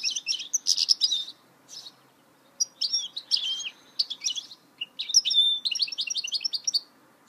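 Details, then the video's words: Goldfinch hybrid, or mule, singing a rapid, jangling twitter of high, scratchy notes in bursts, with short pauses between phrases and a quiet background. "Chant mulet chardonneret تغريد هجين الحسون"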